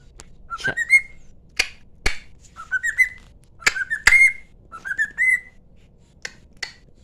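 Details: Cockatiel imitating its owner's singing: short upslurred whistles repeated about once a second, separated by sharp clicks or taps, indoors.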